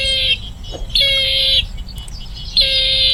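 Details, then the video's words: Bronze-winged jacana repeating harsh, reedy, steady-pitched notes, three in a row spaced about a second apart, with background traffic-like rumble and a faint click. "Bronze Winged Jacana Bird Sound | জলপিপি পাখির ডাক রিংটোন | Jacana Bird Call Ringtone"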